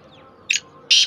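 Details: Black francolin uttering two harsh, rasping notes, a brief scratchy one then a longer loud grating burst, against low background hum.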